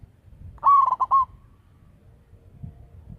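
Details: Local zebra dove with a big voice, used as a lure: one brief phrase of a rising coo trailing into three quick clipped notes, then low background murmur.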